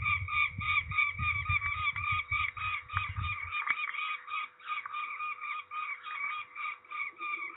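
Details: At Trzebież, Poland, 13 May 2019, during ringing, a peregrine falcon keeps up a fast, regular series of rasping calls; low rumbling dominates the first half, then fades to quieter background.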